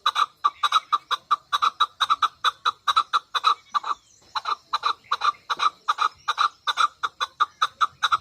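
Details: Rapid, insistent clucking from a female chukar partridge: dense strings of hoarse chuck notes, broken by one brief pause midway and then resumed at the same quick pace.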